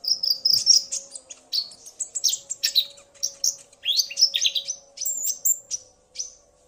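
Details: Common iora male singing after a female's call provoked him, the two trading calls; dense chattering phrases of high chirps and quick whistles, easing into scattered single notes.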